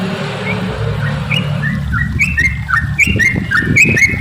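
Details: Lure song of a yellow-vented bulbul: after a quiet start, clear whistled notes step upward and repeat in quick, bouncy phrases, growing louder over a low humming rumble.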